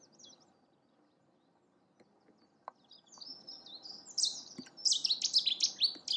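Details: Cetti's warbler at Newport Wetlands Reserve giving its territorial/courtship display: quiet start, then a loud, explosive burst of rapid, repeated high notes that swells toward the end.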